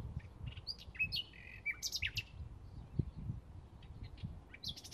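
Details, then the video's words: Bluethroat singing in May 2016, a rapid varied run of high thin whistles, buzzy notes and sharp chirps, set against a steady low rumble of background noise. "Ruiseñor Pechiazul - Bluethroat (Mayo 2016)"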